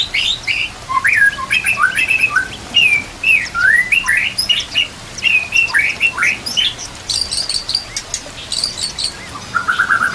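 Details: Training song of the White-rumped shama mixed with nature sounds and running water. It has fast, varied phrases of whistled slurs, sharp high chips and short trills, ending in a quick repeated series, with steady water noise throughout.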